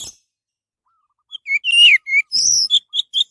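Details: Orange-headed thrush singing, played as a lure to set other birds singing: after a quiet pause, a run of varied whistled phrases, some long and slurring down, others short and rising, delivered in quick succession.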